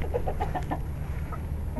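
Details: Chickens settling in their coop at night as they go to roost, giving soft, short clucking notes in a quick run, over a steady low hum.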